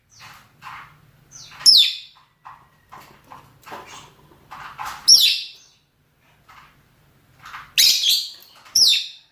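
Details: Calls of male and female rosy-faced and Fischer's lovebirds for mating: shrill downward screeches recurring at irregular intervals among softer chirps and chatter.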